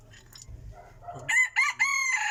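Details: Crowing of a Burmese-line decoy rooster: after low rustling, a loud crow breaks in with two short clipped notes and then one long sustained bright note held to the end.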